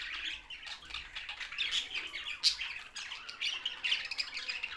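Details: Budgerigars, Australian parrots, in Larkana, Sindh, chattering busily: overlapping squawky, buzzy and warbled notes with sharp chirps, in a continuous uneven stream and louder bursts near the middle and end.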